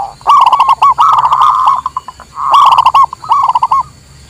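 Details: Local zebra dove song used to lure wild birds and as a master song for training: rapid series of arched, cooing notes, with clicky, buzzy bursts overlaid in places and a faint steady hum.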